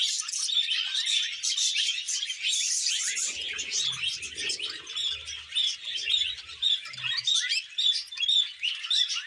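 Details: A pet male budgerigar courting a young female; a lively nonstop warble of rapid chirps, clicks and squeaky notes that runs on without pause.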